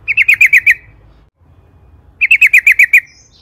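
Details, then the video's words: Yellow-vented bulbul in energetic lure song meant to make other birds sing: two short, fast bursts of six to seven ringing chirps each, separated by a second of quiet. "Trucukan gacor ropel panjang AMPUH,, pancingan TRUCUKAN AGAR BUNYI"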